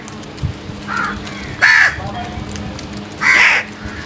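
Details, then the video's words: Crows at early morning give a faint caw followed by two loud, harsh, rasping caws spaced well apart, with background hum. "Loud Noise made by Crows | Early Morning Birds Sounds"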